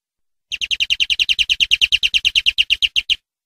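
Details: European greenfinch tutor song for training captive birds: a steady rolling trill of about twenty evenly spaced notes over roughly two and a half seconds, with faint low ticks under each note.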